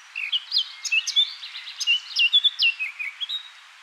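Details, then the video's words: Eurasian blackcap male perched in a bush near Abergavenny, South Wales, delivering a rapid warbling phrase of clear whistled and twittering notes, rising and falling, loud and continuous for about three seconds. "Blackcap male perched in a bush and singing"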